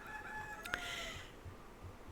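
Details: Toward evening in Hawaii, a distant rooster crows in the background, a drawn-out harmonic call that sags slightly in pitch over about a second and then fades into quiet background hum.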